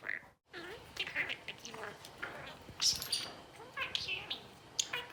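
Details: Talking budgerigar, an albino male about four years old: squeaky, raspy imitation of speech in quick phrases, with a brief gap early on and a sharp high chirp near the middle.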